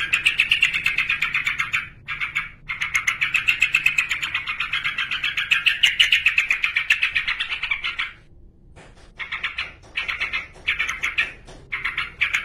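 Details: Male yellow-vented bulbul singing persistently to call a rival, a long, fast run of bubbly chattering notes around mid pitch, repeated roughly four times a second, with two short breaks and a longer pause near the eighth second.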